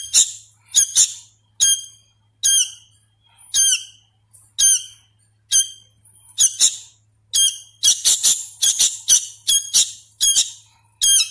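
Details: A hand-fed young sooty-headed bulbul, not yet sure of its sounds, begs with spaced raspy squawks that quicken into a dense, excited flurry midway before slowing again.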